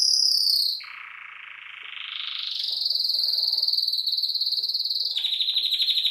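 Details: Pet canaries singing indoors: a high rapid trill breaks into a lower buzzy roll for about two seconds, then climbs into a long fast trill held for three seconds, ending in a slightly lower pulsed trill.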